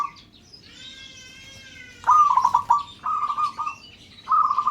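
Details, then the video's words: Local zebra dove calling so others join in, after a high, whistled tone from another bird; rolling, trilled coo phrases follow in three bursts over a soft background murmur. "Perkutut LOKAL Memanggil "Bikin yang Lain Ikut BUNYI"."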